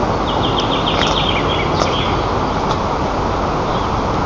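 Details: White-tailed eagle at its nest in Lower Kama National Park, Tatarstan, as the male brings fish: a quick run of about eight thin, high yelping notes in barely more than a second, half-buried under constant rumbling wind or engine noise.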